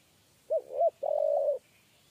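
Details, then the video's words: Spotted dove of the 'kuk 3' coo type, heard while being lured into a trap cage: two quick, hollow rising-falling coos, then one long, steady, slightly wavering coo, all low and mellow against a quiet background. "TEKUKUR KUK 3"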